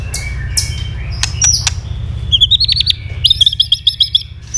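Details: Fighting song from a tail-flicking white-rumped shama: high clicks and whistles, then two fast high trills of rapidly repeated notes, over low background rumble.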